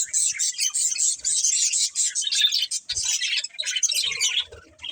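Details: Breeding pair of budgerigars kept as pets, chattering in dense, high scratchy warbles with rapid chirps, nearly continuous for five seconds with brief pauses near the end.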